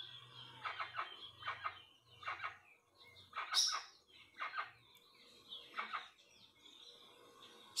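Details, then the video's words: Rusty-margined guan song of spaced, rasping notes in a loose series, with a sharp high click near the end. "CANTO MP3 DO JACU OU JACUAÇU"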